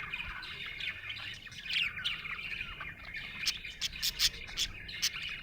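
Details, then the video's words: Budgerigar in a happy mood, warbling chatter with a rising squeaky phrase early on, then a series of sharp clicking chirps in the second half. "Happy budgie chirping sound"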